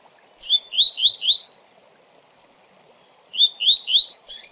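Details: Coleiro delivering its rapid Tui Tui song, used for training birds. Four quick upslurred whistles, a higher slurred note, a pause, then the same whistled series ending in high falling notes, over a light steady hiss.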